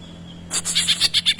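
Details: Greater green leafbird singing a tengkek-imitation phrase: after a quiet start, a string of sharp, high, clipped notes, about seven in just under a second, over a faint steady hum.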